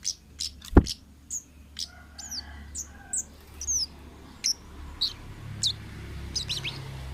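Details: Wild orange-headed thrush song, used as lure material for other birds: a run of short, high, whistled and slurred notes, some rising and some falling, spaced about half a second apart, with sharp clicks mixed in.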